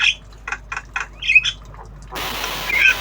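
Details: Javan myna in obyogan style, a tame bird learning sounds: a run of five or six short harsh chattering notes, then a loud noisy rasp with a faint whistle.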